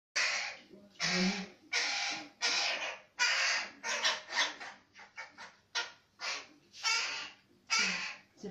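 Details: Baby crow that fell from its nest, being fed by hand on 11 May 2019: harsh raspy begging caws in quick bursts, roughly one per second, growing choppier in the middle, with a person speaking nearby.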